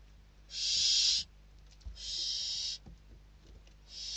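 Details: Barn owl chicks inside a nest in Spain, fighting over a delivered bird on 21 December 2023; harsh, broadband hissing screeches about 0.7 seconds long, three bursts with faint knocks between.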